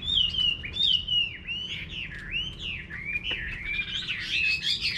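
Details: Vietnamese countryside garden hwamei delivering long, looping whistled notes that swoop down and up in smooth arcs, phrases running together without pause.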